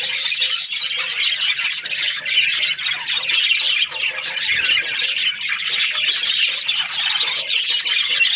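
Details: Budgerigar breeding pairs chatter noisily, with harsh squawks and quick chirps crowding together into a continuous high-pitched babble of many overlapping voices.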